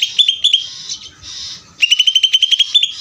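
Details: Greater green leafbird in ngeder song. Quick, high, clipped notes come in a stuttering series, then a brief hiss-like pause, then a fast rising chatter of about a dozen sharp notes.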